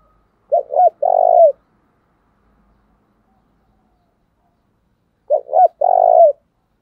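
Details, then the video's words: Spotted dove kept as a decoy, cooing so that wild doves answer: a low phrase of two quick hooting notes and a drawn-out vibrating coo, repeated after about four seconds of quiet. "Chim Cu Mồi Thúc Gù/ muốn chim bổi nhanh nổi và gáy nhiều"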